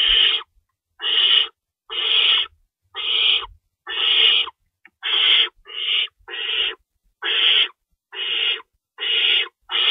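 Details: During a nighttime feeding at an owl nest, March 25, 2012 around 3:53 AM, rabbits on hand and food shredded for the young; about fourteen raspy hissing screeches, roughly one per second, with soft knocks early on.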